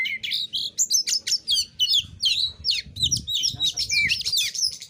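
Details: Singing oriental magpie-robin (kacer), 'narung nembak materi' style for provoking rivals to respond: a rising opening whistle, then choppy bursts of high, varied notes, several per second, with some soft low thumps.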